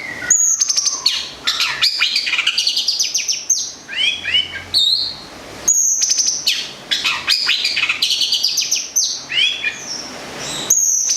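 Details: Local long-tailed shrike from Gedong Songo, Central Java, a caged songbird, pouring out high whistles, descending slurs and quick rattling trills in two long phrases split by a short gap.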